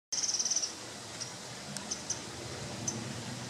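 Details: Eurasian wren on Mt. Takao, Japan, on 15 March 2013, gives a quick, high, dry rattle of about ten ticking notes in half a second, then scattered single ticks over a steady hiss.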